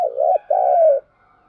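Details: Spotted dove kept as a decoy to attract wild doves, giving a short coo followed by a longer, smoothly sliding coo, clean and close.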